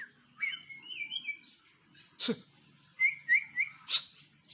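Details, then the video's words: White-rumped shama after moulting, giving short whistled phrases that slide and warble, broken by a few sharp knocks or clicks, in otherwise quiet surroundings. "Murai Batu Setelah Mabung - Kicau Favorit"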